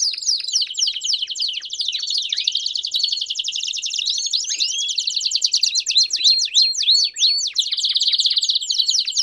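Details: Canary song in the campainha style with chirps, used to train young canaries: dense fast rolling trills and buzzy runs with repeated sharp upward and downward chirps, continuous throughout with no pauses.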